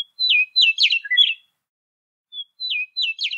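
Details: A Western Meadowlark, state bird of Oregon, sings twice: clear, flute-like whistles slurring downward, then a quick bubbling, gurgling jumble, each phrase about one second long.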